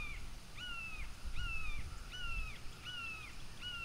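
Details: Piping chatter from bald eagles at a nest in Florida, where the pair's offspring has come to visit. Six thin notes fall slightly in pitch, evenly spaced at roughly two-thirds of a second, over soft outdoor rumble.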